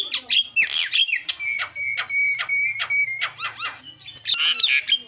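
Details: Lure song of a starling for coaxing a silent bird into chattering: a busy jumble of clear whistles, sliding notes and harsh rasps without pause, with a faint low hum underneath.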